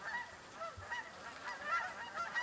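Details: Canada geese circling over a house, apparently drawn to ducks out in the open; faint, distant honks repeat through the clip, rising and falling, with a quiet background.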